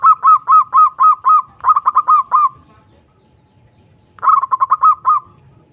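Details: Zebra dove (perkutut) calling a rival, used as a lure to provoke emotion and arousal: two quick bursts of about eight clipped, mid-pitched coo notes, a pause of nearly two seconds, then a third rapid burst.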